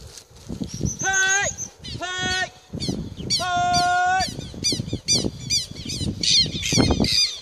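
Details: Imprinted captive Harris's hawk kept by an Atlantic Forest bird rehabilitation group, giving drawn-out, steady-pitched harmonic calls of about half a second each, repeated several times, with a person talking between and over them.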